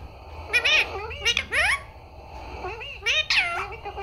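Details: Pet parrot talking, saying "Papa" and "Mummy": a few short, nasal, harmonic-rich syllables with sweeping pitch, bunched in bursts near the start, middle and end, over a quiet room hum.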